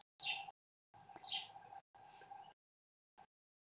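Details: American kestrel at a nest webcam as the father feeds his chicks: three harsh, buzzy bursts of calling, each under a second, with a shorter fourth note, over a steady electrical hum.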